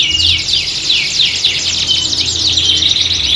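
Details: Canaries singing together as training for singing contests: dense rush of high, quick V-shaped sweeps and twitters without pause, light low hum underneath.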